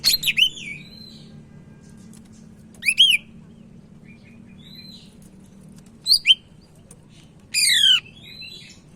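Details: Sumatran leafbird song for training other birds: sparse bursts of high chirps and sliding whistles separated by pauses, closing with a harsh buzzy phrase, over a low hum.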